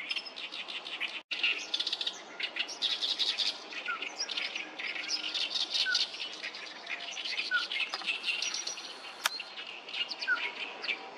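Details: Along the Sawatari River on 7 June 2024, numerous oriental reed warblers keep up a noisy chorus of harsh, scratchy chattering notes, while a few soft downward whistles drop in at intervals.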